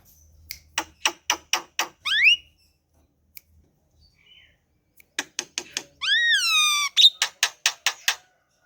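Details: Javan pied starling at home, singing rapid series of harsh clicking squawks broken by rising whistled slides and a long rich warbled phrase, then more clipped notes.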